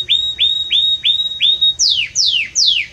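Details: Belgian canary singing loudly and warmly: five clear whistled notes that rise and then hold level, each repeated about every third of a second, followed by three bright descending sweeps.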